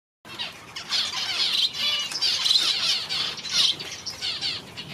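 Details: A weak, one-day-old Society finch chick being hand-fed gives harsh, raspy, nonstop begging chatter in high-pitched, buzzy bursts that swell and fade over several seconds.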